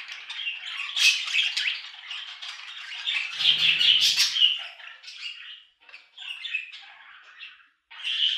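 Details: Lively budgie chatter, loud buzzy warbles and squeaks packed closely, easing into quieter broken twitters before rising again at the close; a brief low rustle in the middle.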